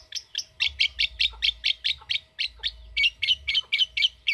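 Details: Lovebird in a chattering ngekek trill, harsh squeaky notes repeated quickly and unevenly, about four per second, forming a continuous scratchy run.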